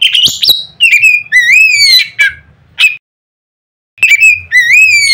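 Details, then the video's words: Oriental magpie-robin giving loud notes meant to make other magpie-robins sing out: sharp high whistles, then rising, slurred whistles with strong overtones in bursts, a brief silence, then two more rising whistled phrases. "nada keras bikin burung Kacer lain ngeplong"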